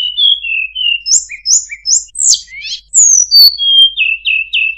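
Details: Flowerpecker call played as a lure for birds: quick series of high thin whistled chirps, some falling, some sharply rising, about two to three per second, ending in clipped descending tsit notes; no other sounds.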